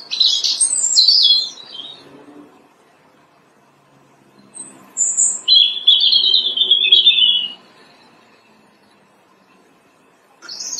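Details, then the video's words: Robin singing from a branch in early spring, in March; high, thin whistled phrases separated by long silent pauses, each phrase a short tumbling burst with a sustained trilled section. "Every March, when the bright spring comes, robins sing loudly on the branches of the early spring."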